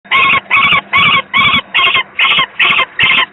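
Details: Young peregrine falcon, the second chick, very unwell, at a nest on the PGE power plant in Gdynia, Poland, 18 May 2023, recorded from an online stream: eight harsh, grating notes, evenly spaced about twice a second, over a low steady hum.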